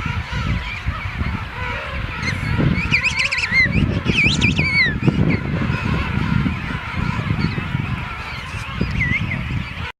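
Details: King penguins trumpeting in the breeding rookery at St Andrews Bay, South Georgia: warbling, pulsing calls that rise and fall, with two clear bursts, over a constant low roar of wind and distant colony noise.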